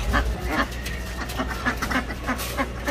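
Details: Ducks for sale at a shop, giving short, harsh, nasal quacks repeated several times a second, over a loud low hum.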